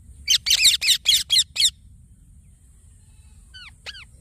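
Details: Young green parrot giving six fast, raspy chirps in a tight cluster, followed after a silence by two faint, thin, down-slurred whistles.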